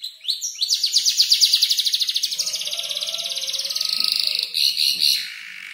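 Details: Five-month-old canary arranging a song from tutor birds like ciblek and klik-klik; a fast buzzy trill sliding slightly downward for several seconds, then warbling phrases, with a faint steady low hum.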